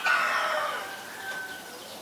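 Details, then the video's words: Common myna in Ubon Ratchathani province, Thailand, 20 March 2022, recorded with a Nikon P1000: one loud, rough, drawn-out screech that fades, followed by a thin, quieter whistle. "นกเอี้ยงสาริกา (Common Myna)"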